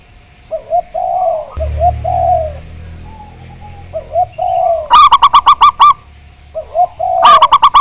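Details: Zebra dove, local Javanese type, in a recording used to make doves sing. Low, soft coo phrases with a brief low rumble underneath, then two fast runs of loud, clipped, ringing notes near the end.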